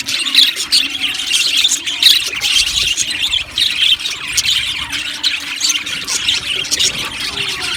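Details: Colony of budgies calling in an aviary: squealing chirps and rapid chattering notes from several birds overlap constantly, with a few louder squawks early on.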